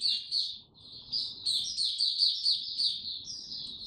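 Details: In warm, very humid weather a white-eye sings a fast, unbroken flow of thin, high chirps and trills, over a soft low background hum.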